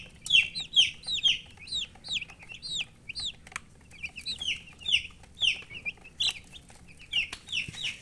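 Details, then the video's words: A group of colored chicks chirps continuously, with shrill, falling peeps repeated roughly twice a second and several voices overlapping, against a quiet background. "Baby "Chicks Chirping" Sound"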